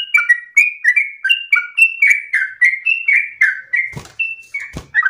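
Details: Loud, long-winded yellow-vented bulbul song used as a copying model for other birds. Quick series of descending, bubbly double notes runs throughout, with two sharp knocks or clicks near the end.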